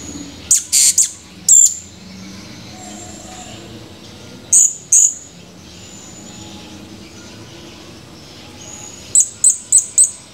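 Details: Male Blue-crowned hanging parrot recorded 17 July 2020, giving very high, thin chirps in short bursts of two or three, then a quick run of four near the end, separated by quiet gaps with faint background hum.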